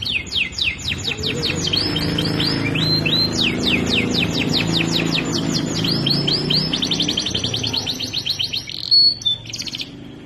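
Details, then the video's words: Canary song from an Indonesian master recording for training, a bird already in full song: rapid runs of steep repeated chirps and sweeps between 2k and 7k, ending in short whistled notes, over a low background hum. "Masteran Burung Kenari Bahan Sudah Gacor dan Durasi Panjang"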